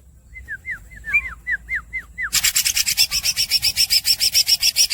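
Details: Greater green leafbird (green cucak) opening with about eight clear downslurred whistles in a loose series. It then switches abruptly to a long, loud, harsh roll of rapid rasping pulses lasting nearly three seconds.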